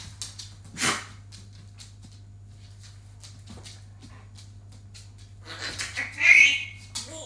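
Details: Rapid ticking clicks and soft chatter from a pet African grey parrot, with one sharp burst early and a rising run of calls ending in a brief high whistle, over a low hum.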